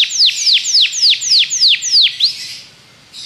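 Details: Belgian canary singing to stimulate other canaries in training; a measured series of seven loud downward-curving whistles, roughly three per second, then quieter notes.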